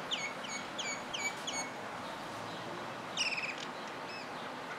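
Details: Common myna singing, recorded on a phone-style handheld clip: a run of five quick repeated downslurred whistled notes, a pause, then a harsher rattling burst and a couple of softer whistles over steady background hiss.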